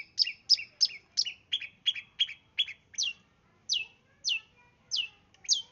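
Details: East Java long-tailed shrike song meant as a lure for other birds, made of loud, sharp, descending chirps repeated quickly, roughly three per second, with brief gaps between notes.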